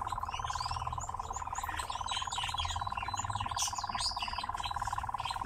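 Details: Nightjar kept in captivity, singing during its dance: a continuous, fast-pulsed, machine-like churr running throughout, overlaid by busy high chirps and whistles from other birds and a low rumble.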